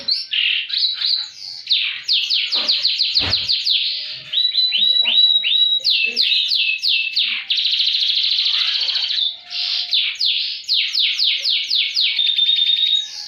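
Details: Canary in energetic high-and-low song, played to spark silent canaries: runs of quick upward-sweeping whistles repeated several times a second, alternating with shrill trills and steady rolling passages.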